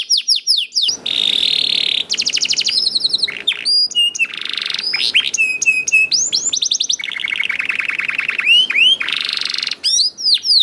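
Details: Young canary singing a prompting song for other canaries. Varied phrases follow one another: rapid downward sweeps, buzzy sustained trills, sharp chirps and pulsed rolls in an unbroken stream.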